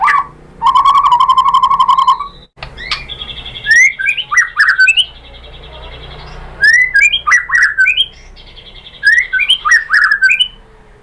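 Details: White-rumped shama song for provoking other shamas: a long harsh buzzing note opens, followed by short groups of whistled slurs and clicks separated by pauses of a few seconds.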